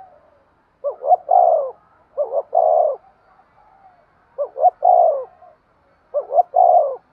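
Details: A spotted dove repeats its urging coo four times. Each phrase is a brisk two-note stutter followed by a sustained, low, husky coo, with short gaps between phrases.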